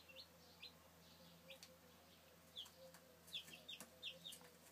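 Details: Chicken chicks recorded in 2013: short, high peeps, many sliding downward in pitch, scattered irregularly and bunching together in the second half, quiet over a steady low hum.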